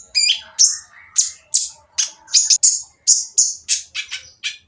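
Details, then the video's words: Brown-throated sunbird singing a coarse, noisy song meant to goad other sunbirds into answering. Sharp, high, scratchy chirps and descending buzzy notes repeated in quick succession, roughly every half second, over a faint low background. "konin yang diam malas bunyi akan nyaut jadi gacor setelah mendengar suara konin berisik ini"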